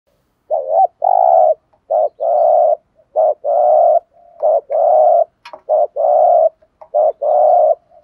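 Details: Decoy spotted dove giving the urging coo called thúc gù, in the deep voice style known as giọng thổ: a quick doubled note followed by a long steady low coo, phrases repeated closely about seven times without pause.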